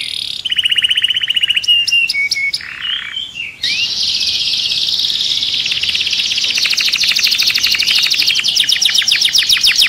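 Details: Agitated canary inside a cage delivers a few sharp repeated chirps, then a long fast buzzing trill held steadily high for several seconds, dense and unbroken.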